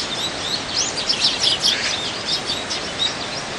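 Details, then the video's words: Wild Eurasian tree sparrows in winter, dozens gathered and competing for food: a busy overlapping chatter of short high chirps and tweets, several per second, over a steady background hiss. "참새들의 겨울 나기 수십마리 먹이 경쟁"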